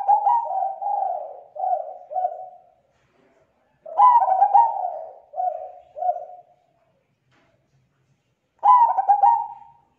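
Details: Zebra dove lure call meant to attract other zebra doves: soft cooing phrases of several syllables, two longer cooing runs then a sharper stuttering trill-coo near the end, spaced by short silences.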